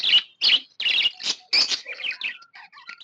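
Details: Happy budgerigar chirping: five loud, buzzy chirps about every 0.4 seconds, fading into soft, varied clicks and whistled warble notes.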